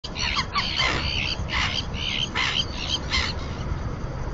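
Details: Common terns, two pairs at the only colony in the Cantabrian area, on a floating nesting platform in the Marismas de Astillero reserve, Santander Bay, Spain, incubating; a run of harsh grating calls, about five in four seconds, over steady low background noise.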